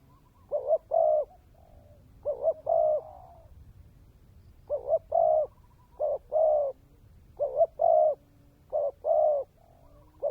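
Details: Decoy spotted dove giving its dense 'kèm dày' coo: repeated low phrases of a short doubled note plus a sustained hollow coo, some faint trailing notes, with a pause in the middle of the series.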